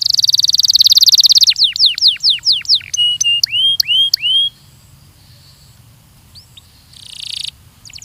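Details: Belgian canary song used as a training recording: a rapid buzzy high trill for about a second and a half, then a run of downward-slurred notes, then rising whistled notes, a pause, scattered short notes and a brief harsh burst.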